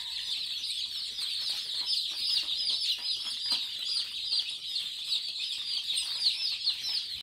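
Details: Crowd of day-old Kadaknath chicks offered for sale in Chengalpattu district, filling the air with a continuous high-pitched cheeping chorus, with individual thin peeps overlapping throughout.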